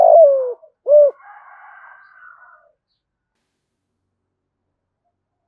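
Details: Spotted dove decoy voice for luring wild birds: a long descending coo and a short rounded coo, followed by a faint soft hum, then several seconds of silence.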